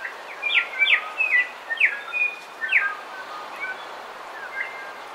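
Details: Bellbird song and calls at dawn on the coast, some birds near. A fast run of bright, steeply dropping ringing notes comes first, then chiming notes and brief chirps. Quieter level whistles from other birds are mixed in over a constant background hiss.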